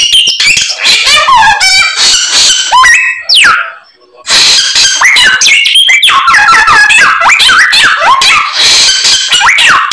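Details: White-rumped shama delivering a full repertoire of imitated phrases (isian): rapid buzzy trills, clear whistled slurs and harsh chatter in a dense, loud flow, with a one-second silence midway.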